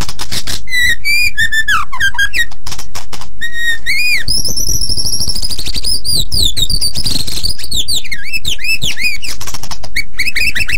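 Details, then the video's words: White-rumped shama singing very actively, used as a training song for other birds: rich, varied whistled phrases with rising and falling slurs and upsweeps, interspersed with sharp clicks and a steady low background rumble. "Suara Burung Murai Batu Super Gacor Untuk Master"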